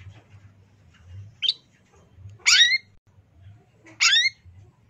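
Long-tailed shrike giving harsh, scratchy bursts about once a second or two, each a loud ragged squawk, over a low steady hum.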